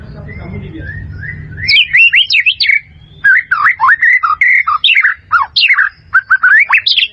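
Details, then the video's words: Singing white-rumped shama, recorded as tutor material for caged birds: a soft, even whistle opens, then a long lively run of loud varied notes with quick rising and falling slurs, broken into bursts by brief pauses. "SUARA MURAI BATU"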